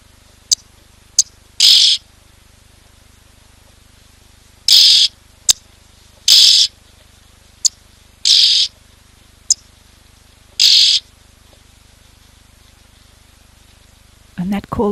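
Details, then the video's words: Red-billed oxpeckers perched on a rhino beside zebra at a Lowveld waterhole on a very windy 8 June 2024 give harsh, hissing half-second bursts with sharp clicks between, over a low rumble. "that call is so distinct of the red-billed oxpecker."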